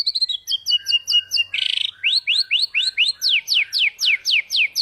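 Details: White-rumped shama (murai batu) from Indonesia, a competition songbird, singing a vigorous filler-laden song used to coach birds that stopped singing. A few trilled notes give way to a long run of sharp, falling whistled sweeps, about two each second.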